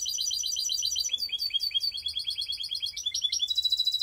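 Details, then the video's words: Mixed canary in Skopje delivering rapid, rolling song: steady repeated high notes at a fast even pace, shifting midway into different phrases and closing on a sustained high trill. "Canary mixed best song"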